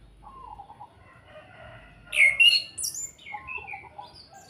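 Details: Orange-headed thrush giving its kretekan call, used as a lure to provoke other birds into singing: a brief burst of loud, varied, sharp whistled notes leaping between high and very high pitch, then softer short whistles, over faint background hiss.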